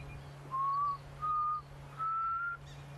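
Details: A Black Cuckoo sings its slow, mournful three-note 'I'm so sad' phrase at a distance on a windy November sunrise on safari, each whistled note slightly higher than the last, over a steady low hum.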